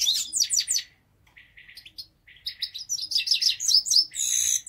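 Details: Grey-crowned goldfinch in the city of Istaravshan, Tajikistan, giving bright, high twittering: quick bursts of chirps, a short pause with softer notes, then dense, tinkling, rapidly varied phrases building to the end.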